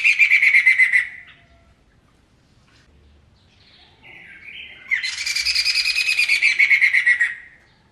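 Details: Poksay Mantel singing loudly: a harsh chattering phrase fades out, then after a quiet gap a short whistled lead-in swells into a long, dense, buzzy burst with a steady pulsing rhythm and a falling end.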